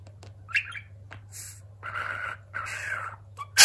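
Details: Pet talking budgerigar: short chirps, then two longer buzzy, speech-like warbles of about a second each, with sharp clicks and a low steady hum underneath.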